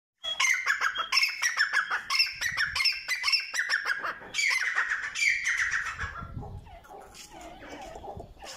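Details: Grey francolin (Francolinus pondicerianus), call.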